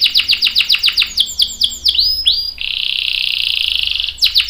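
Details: Canary song with a series of down-slurred whistled notes repeated about every third of a second, then a long steady buzzy rolling trill.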